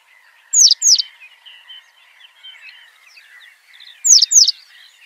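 Citrine wagtail singing: pairs of sharp, high, downslurred chirps, repeated after about three seconds, with a soft, scratchy twittering in between.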